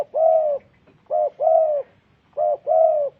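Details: Spotted dove (tekukur) calling loudly and close: three double coos, each a short hoot leading into a longer rounded, slightly falling coo, spaced about a second apart over near silence.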